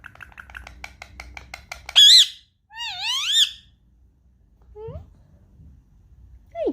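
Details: Pet Indian ringneck parakeet indoors, curious and wanting to play with an iPad: soft rapid ticking notes, then a sharp rising-falling squawk and a wavering whistled call with harmonics. A woman speaks nearby in a small room.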